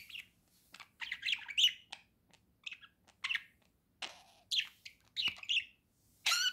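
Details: Pet budgie song of clustered chattering phrases, scratchy and squeaky, with a clear rising whistle near the end.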